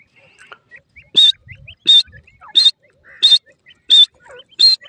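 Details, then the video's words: Repeated harsh, strident notes of a grey francolin (irani teetar), six calls spaced evenly about 0.7 seconds apart, with soft twittering and a low thump in the gaps. "irani teetar beautiful natural awaz,natural voice of pheasant bird"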